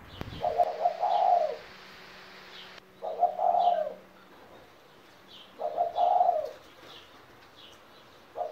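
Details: Seventeen-year-old pet spotted dove cooing: three mellow, rolling coo phrases about a second long, repeated roughly every two and a half seconds, plus a click at the start and a steady low tone in the room.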